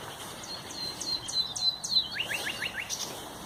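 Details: Common nightingale singing on 30 April 2021, a bird of dense undergrowth: a loud melodious phrase of high repeated whistled notes, then a quick series of five descending chirps, over steady background hiss.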